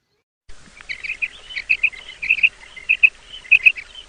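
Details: Female quail (batair) calling in the morning, used as a hunting lure: paired short bright notes repeated about every half second, with fainter overlapping calls from other birds in the background.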